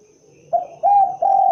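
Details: Spotted dove, known as derkuku or tekukur, beginning its cooing phrase: a short hollow note, then two longer steady low coos in quick succession.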